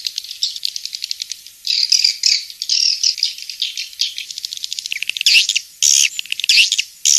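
Swiftlets twitter in dense, high chirps and buzzy rattling trills, overlapping in quick bursts about every second with scarcely a pause.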